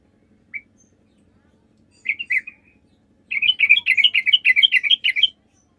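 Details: Sooty-headed bulbul in full song, played as a lure meant to make other bulbuls reply; after two brief single notes, a rapid bubbly run of chirps spills out for about two seconds before stopping.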